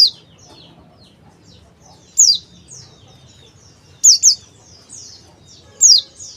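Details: Male Oriental white-eye (pleci) calling: sharp high descending chirps, single or paired, about every two seconds, with softer thin chirps between and faint murmur below.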